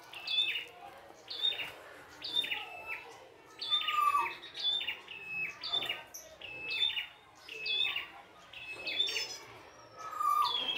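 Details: Energetic song of a wild prinia: a steady series of sharp, stepped chirp phrases roughly every second, with an occasional lower descending whistle, against quiet natural background.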